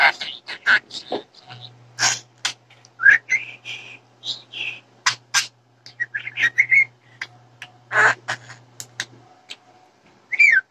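A budgerigar chatters rapidly, mixing scratchy speech-like syllables with bright, rising whistles.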